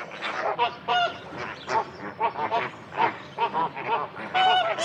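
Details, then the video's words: Flamingos call in a noisy flock, a continuous chorus of nasal, goose-like honks and gabbling notes overlapping from many birds at once. "FLAMINGO BIRD SOUND EFFECTS"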